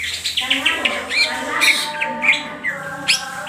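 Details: Brief burst of ngentrok song from a greater green leafbird with crest raised and tail open: quick high whistled chirps over continuous lower harmonic tones.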